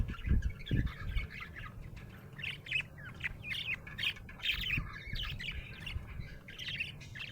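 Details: A happy budgie chirps steadily in a busy run of quick, twittering notes and short squawky warbles, with a couple of low thumps at the start.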